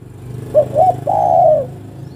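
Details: Female spotted dove calling the male with one phrase: two clipped coos and a drawn-out mellow coo, over a low rumbling hum.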